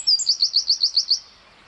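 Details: Small wren in forest giving a short, high trill of about seven quick, evenly spaced notes, then falling silent.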